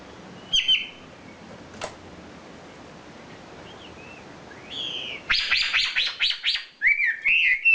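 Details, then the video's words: Wambi, a prized champion songbird, singing a burst of rapid repeated buzzy notes followed by looping whistled phrases, after scattered single chirps over a steady background hiss. "SUARA KICAU ISIAN BURUNG WAMBI JUARA"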